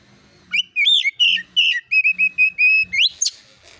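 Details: Oriental magpie-robin (kacer) lure song in the konslet style with rapid fill notes, used to provoke replies: about eleven clear whistled notes near one pitch, some slurred, repeated about three a second, ending in a sharp rising sweep.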